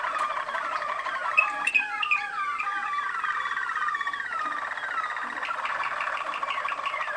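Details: Waterslager Malinois canary from Kumanovo, Macedonia, singing a sequence of falling whistled slurs and water-like bubbling rolls, shifting between tours with a faint click early on.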